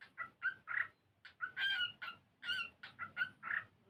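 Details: Pet cockatiel singing and playing, said to be learning to sing and dance; a steady series of warbled, harmonic chirps, some longer and buzzier, repeated with little gap, faint background rumble.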